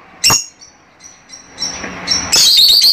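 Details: Fischer's lovebirds calling to encourage mating: a single sharp shriek, faint thin high whistles, then a loud rapid trill of squeaky, warbling chatter in the last second.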